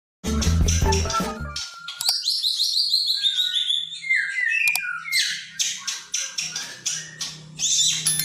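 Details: White-rumped shama song meant to challenge and provoke a rival; clear whistled notes sliding downward in a rapid cascade, opened by a low rumbling noise and followed by harsh, broadband bursts.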